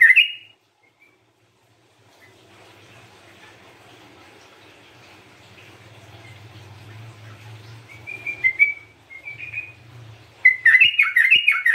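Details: Sooty-headed bulbul singing gacor style, recorded for luring and therapy: a quiet stretch with a low hum, then brief whistles and, near the end, a burst of lively warbled rising and falling notes.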